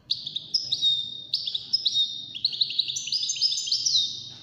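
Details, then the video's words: Continuous high, sparkling song from a wild-caught European goldfinch in a five-bird contest, a dense chain of quick chirps, buzzy slurs and trills climbing and falling, with faint low background noise. "مسابقة افضل تغاريد 5 حساسين ويدانية"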